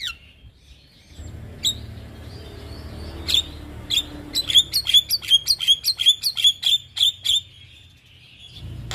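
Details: Javan myna, a recording for training cage birds: after a quiet start, a fast series of short sharp chirping notes repeats about three times a second, rising in loudness, over a low background hum.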